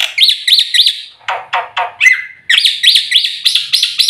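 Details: Black-winged myna full-fill song intended as a lure for caged birds: arched, whistled notes repeated quickly, interrupted by loud raspy bursts and one flat sustained whistle, then more rising and falling whistles.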